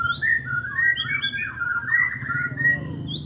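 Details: White-rumped shama singing gacoran style: clear, fluid whistled phrases weaving up and down, melodious and varied, ending on a high rising note, over low background hum.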